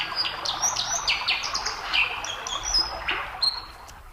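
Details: A white-throated dipper sings on a stream: a high, scratchy warbling song of quick chirps and trills, half drowned by the steady roar of rushing water.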